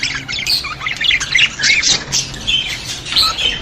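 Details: Budgerigars chattering, played to stimulate budgies: scratchy squawks mixed with clear, short whistled chirps, rising and falling in quick bursts.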